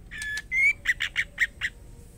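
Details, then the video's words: Female white-rumped shama calling to the male: two drawn-out nasal notes, then five short harsh squawky notes in quick succession, each with a bright buzzy tone. "murai batu betina gacor memanggil jantan white rumped shama"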